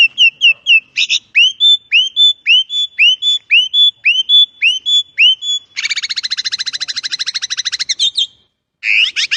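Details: Starling singing a rolling song, meant as a training recording: repeated rising whistled notes about three per second, then a fast harsh buzzing trill and loud bursts at the end.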